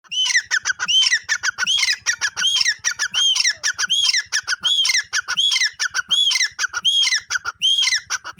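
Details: Female grey francolin calling: loud, harsh whistled phrases with upswept notes, repeated rapidly and almost without pause, overlapping into a continuous scratchy chorus throughout.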